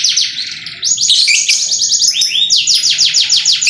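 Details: Canary 'tembakan' singing, described as super sharp: a quick roll of high notes, then a series of rising and falling sweeps and rapid rattling trills.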